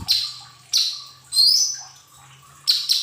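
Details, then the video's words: Lesser green leafbird song played as a lure recording to prompt untrained cage birds to sing: loud, sharp, high whistled phrases, some sliding downward, others rising and buzzy, repeated about once per second, with a faint steady hum behind. "Pancingan cucak ijo mini bahan agar cepat bunyi"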